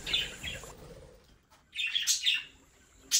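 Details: Budgerigars from a home breeding flock: bright high chirps in two bursts, a short scratchy pair, then a pause before a louder chattering cluster of warbled notes and a final sharp chirp.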